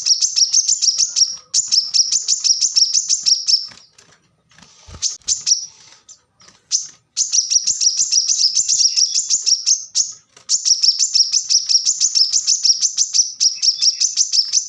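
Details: Fast, high-pitched song of a plain-throated sunbird in the dense, rapid-fire style: long runs of sharp, repeated tinny notes, about three each second. One quieter broken stretch falls in the middle, and the rest is long continuous bursts.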